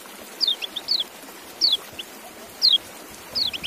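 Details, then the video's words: Brief, high, downslurred chirps from a white-eye, spaced irregularly about one per second, against light background noise. "Relaksasi Suara Kecial"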